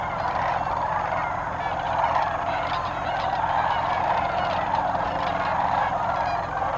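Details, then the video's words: Large flock of sandhill cranes at Bernardo Waterfowl Management Area, about 25 miles north of Socorro, New Mexico, 2008, their rolling, trumpeting calls overlapping into a steady, dense chorus with no break. "Sandhill cranes"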